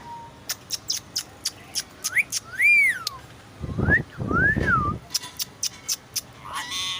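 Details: A pair of green rose-ringed parakeets kept as pets, talking to each other: sharp repeated clicks and ticks, then looping rising-and-falling whistled notes, with one hoarse burst in between.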